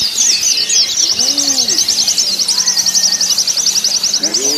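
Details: White-eye in a simulated singing-competition setting for training: a rapid, continuous high chattering trill of fast repeated notes runs throughout, with soft low dove coos underneath and a busy background.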